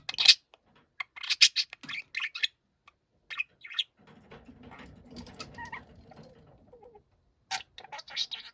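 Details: Noisy pet budgerigar shouting angrily: bursts of harsh, high chirps and scratchy squawks in quick clusters, with a short stretch of low rumbling background in the middle and a final run of sharp chirps.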